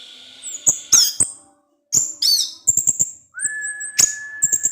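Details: Captive orange-headed thrush in ngecip ngecis teler song: piercing very high squeaks and sharp ticks, then a long flat whistle held for over a second, with scattered chip notes around it.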